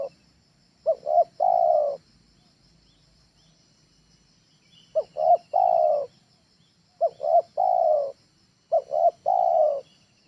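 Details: Trained spotted dove calling, intended as a lure at home: four phrases of two clipped coos ending in a longer rolling coo, separated by pauses of one to three seconds, with a quiet steady hum.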